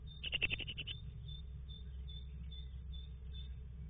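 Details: A great tit, recorded on 30 March 2017, gives a quick burst of about eight bright, evenly spaced notes in under a second. Faint high notes follow over a steady low rumble.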